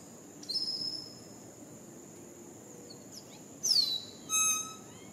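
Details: Greater Antillean grackle (Quiscalus niger) on Puerto Rico gives a thin high whistle, then a sharp downslurred squeal and a brief metallic, ringing note, over a steady high insect-like drone.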